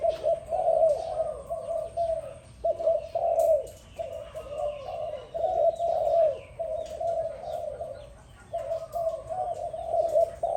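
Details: A dove coos in the morning in soft, low, rolling phrases that run almost without pause. Faint chirps from small birds sound in the background.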